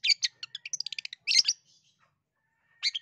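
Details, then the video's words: A long-tailed shrike sings, meant to stir a quiet shrike into song: a fast run of clipped, twittering notes, then a harsh burst, a pause, and fresh chirps. "SUARA CENDET UNIK GACOR COCOK BUAT PANCINGAN CENDET MALAS BUNYI"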